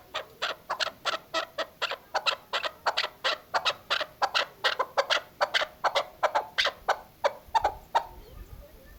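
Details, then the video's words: Female chukar partridge giving a hunting call: an unbroken, rhythmic series of loud, rasping chuk notes, about three per second, steady throughout with little background noise. "chakor ki awaz shikari chakor keklik sesi hunting sound dasi madi female voice"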